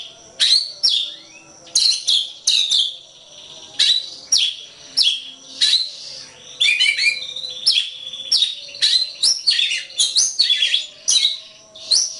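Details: White-rumped shama song used as a training recording for songbirds: loud bursts of rich whistles and rapid chattering phrases, sweeping mostly high, delivered in quick phrases with short pauses between them.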